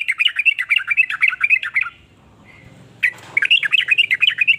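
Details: Sooty-headed bulbul song in varied styles that sparks other bulbuls to sing: fast, dense chattering whistles for two seconds, a quiet gap with faint noise, then the chatter resumes.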